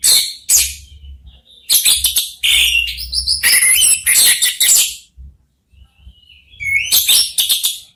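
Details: Three orange-headed thrushes singing in reply to each other: repeated loud bursts of varied, chattering and whistled notes with short gaps, over a faint low background hum.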